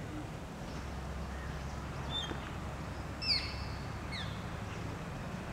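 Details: Red-breasted flycatcher (Ficedula parva) in forested Rishikesh Valley, India, giving a few brief, high, thin call notes, some slurring downward, over a steady low background rumble.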